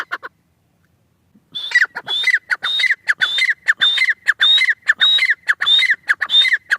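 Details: Francolin, locally called teetar, giving a rapid series of scratchy notes, each topped by a short high rising whistle, repeated roughly every half second after a brief quiet start.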